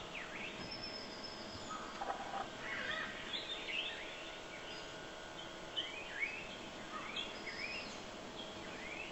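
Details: Jungle bush quail at Jamoda Padav, Melghat, India, give overlapping whistled chirps that slur up and down in a loose chorus against a steady hiss of background noise.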